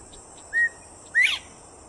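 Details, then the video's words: A Northern Bobwhite at Celery Fields in Sarasota, Florida, whistles a clear two-part call: a short level note, then a louder, sharply rising one, over a steady high insect hum. "Bobwhite Whistling"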